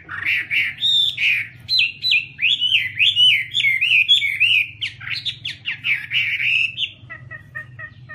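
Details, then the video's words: Singing Chinese hwamei delivers a long, loud, rich phrase of fast whistled notes, rising and trilling in rapid succession, ending in softer thin repeated notes; a low hum lies beneath. "Garrulax canorus/ Birds singing"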